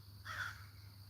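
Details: A wild crow calling very close by, near a yard with free-roaming ducks: a single brief, harsh caw, over a constant low hum.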